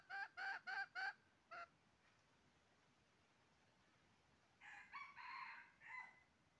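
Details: Red junglefowl heard while trapping on 20 January 2023: four quick loud clucks and one more, a pause, then a quieter rough crow-like phrase.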